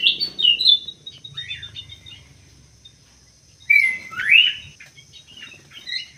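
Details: Chirping munia, emprit sawah, with a few quick tweets at the start, a quiet stretch, then a loud upslurred chirp and scattered softer notes, over a thin steady whine.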